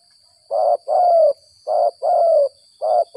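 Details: Spotted dove of the 'gagap 6 mata' calling style, heard during decoy trapping after rain: low hollow coos in pairs, a short note then a longer slurred one, with three pairs about a second apart against a quiet background.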